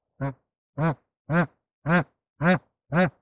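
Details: Bar-headed goose while mating: six loud nasal honks delivered steadily about every half second, each rich and resonant, in an otherwise quiet setting.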